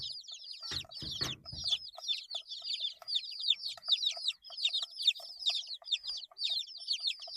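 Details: Many eight-day-old chicks give constant high, downward-sliding peeps in quick overlapping series; a brief low rustle or bump near the start.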